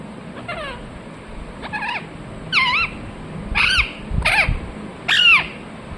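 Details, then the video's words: Harsh, downward-sweeping squawks from a Ringneck parrot, six notes at irregular intervals, each short and ringing, growing louder toward the end above low background rumble. "Ringneck parrot Chirping sounds"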